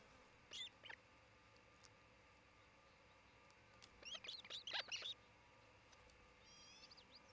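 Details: Osprey pair's nest in Charlo, Montana, filmed by a nest camera on 27 June 2018 late morning; a couple of isolated high chirps, then a tight cluster of sharp squealing notes, and a faint thin whistle near the end.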